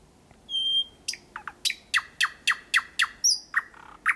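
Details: Thrush nightingale singing close by at night in Kiili parish, Estonia, 8 May 2020: a pure held whistle, then a brisk run of repeated sharp, descending clicks, roughly four per second.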